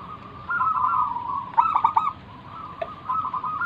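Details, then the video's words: Local wild zebra dove singing, used to entice other doves to answer. A long warbling trilled coo swells into a louder stuttered burst, then trails off into softer phrases, with one brief click. "burung perkutut lokal Gacor manggung - pancingan pikat paling Ampuh mengundang bunyi"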